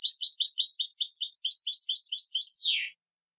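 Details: European goldfinch singing a rapid, tinkling run of high twittering notes, repeated quickly for over two seconds and ending in a louder downward-sliding note, with no other sounds.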